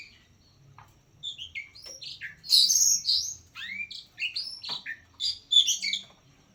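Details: Kept oriental magpie-robin singing; rapid sequence of varied whistles, downward-swept notes and short scratchy chips delivered in lively bursts, with faint low background hum.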